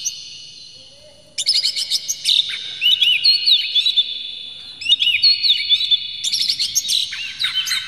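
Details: Oriental magpie-robin singing a lure meant to excite other magpie-robins, said to show emotion and tail spreading: dense series of sharp chirps, whistled slurs and buzzy notes, high-pitched and varied, starting after a quiet second, no other sounds.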